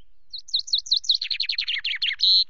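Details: Singing common chaffinch on a camera perch, Loch Garten, 24 May: bright repeated high slurred notes accelerate into a tumbling, descending series of chirps, finished by a ringing terminal flourish; background otherwise quiet.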